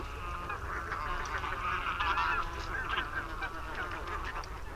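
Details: Over 200 barnacle geese on the Warthe floodplain in Poland, watched from a house window on 11 March 2015: a dense, continuous chorus of overlapping yapping honks from the flock, with a steady low background rumble.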